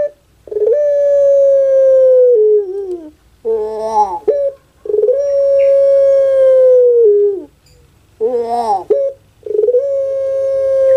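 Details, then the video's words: Puter pelung dove, a captive bird kept in Java, Indonesia, cooing in anggungan style: a long, level, ringing tone that droops at the end, then a rough gurgling, rolling phrase, the pattern repeated about three times with short silences between. "KONSER ANGGUNGAN PUTER PELUNG"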